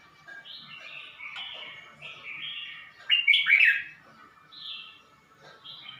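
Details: Caged red-whiskered bulbul from Suan Phueng, Ratchaburi, Thailand, recorded in May 2020: a string of soft slurred whistles broken by one loud, sharp, bubbling flourish partway through, then quieter phrases again.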